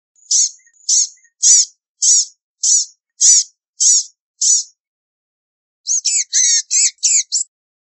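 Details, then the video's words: Blue-gray gnatcatcher song: eight thin, high notes evenly spaced about every half second, then a fast, wheezy, jumbled burst of squeaky notes, with the background quiet. "Blue-gray Gnatcatcher Song! Call! Sound! Singing!- Perlita Común Canto"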